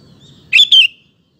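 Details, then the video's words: Single bubbly double-note phrase of a sooty-headed bulbul, a lure for getting male bulbuls to answer; bright notes with a slight downward slide, soft low background noise before. "Kutilang Gacor Ampuh untuk Pancingan Maupun Masteran Burung"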